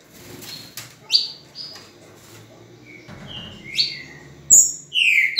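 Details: A green-winged saltator on 10 November at 8:05 in the morning gives a few loud, rich whistled notes, some sliding downward, with brief higher, sharper notes near the end over a quiet background.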